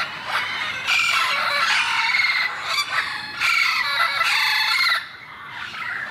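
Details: A paired couple of wild parrots, apparently mating, in Irvine on November 1, giving long, loud, rasping squawk bouts separated by brief gaps, then falling quiet near the end.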